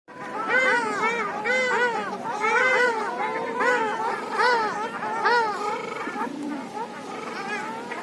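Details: Ruddy shelducks, called red ducks, in the north of Moscow, Russia, giving loud nasal honking calls in rapid overlapping series, several birds calling together, slightly falling toward the end.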